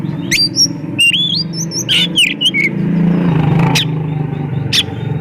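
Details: Oriental magpie-robin (kacer) in lively, nonstop song packed with varied fill phrases, played as a lure to prompt other magpie-robins to sing; bright rising and falling whistles and sharp chirps in quick bursts over a steady low engine-like hum.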